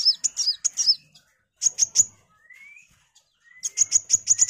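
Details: Kolibri wulung sunbird in full song, used to tutor shamas: high squeaky warbles, bursts of sharp ticking notes, thin rising whistles, and a final rapid run of high chips.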